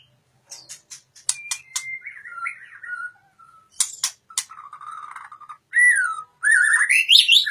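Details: Singing white-rumped shama, locally murai batu, pouring out a varied phrase: rapid clicking ticks, then wavering mid-pitched whistled warbles, ending in loud rising high whistles and scratchy notes.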